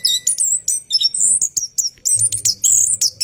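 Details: Orange-headed thrush in a cage singing at night, a rolling lure song: very high, rapid, jumbled whistles and squeaky chirps pouring out in dense bursts separated by tiny gaps.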